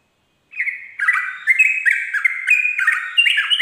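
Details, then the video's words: Sooty-headed bulbul singing in the ropel style at dawn: after a half-second pause, a rapid run of bubbly two-tone notes, each dropping from a higher to a lower pitch, about three per second, clean with no background sounds. "pancingan trucuk ropel subuh"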